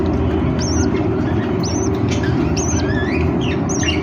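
Budgerigars give short, high arched chirps about once a second over a steady low rumble.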